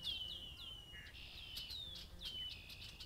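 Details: Red-winged blackbirds leading a dawn-style chorus on a Massachusetts farm: several descending slurred whistles, then a short buzzy trill, followed by more downward-sweeping notes, with other birds joining in throughout.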